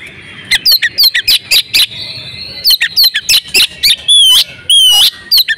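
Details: Oriental magpie-robin hen in breeding condition calling, used to get males singing; crisp rapid chirp series, then two long harsh wavering whistles and more quick chirps.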